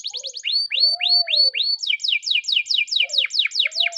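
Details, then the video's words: Canary training song sung in the morning, made of fast repeated upswept whistles that shift into rapid descending chips, with faint lower whistled slurs behind. "the best canary training song in the morning!!"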